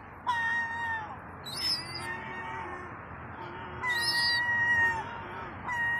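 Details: A two-to-four-month-old herring gull chick demands food with long, plaintive whistled wails, each starting with a sharp rising catch. Longer and shorter notes follow one another with short gaps, over a steady low background hum.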